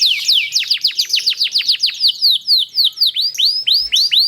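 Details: A canary pours out a fast, long rolling song: quick, high downslurred notes about eight per second, shifting to bright upswept whistles, played to lure other canaries into singing.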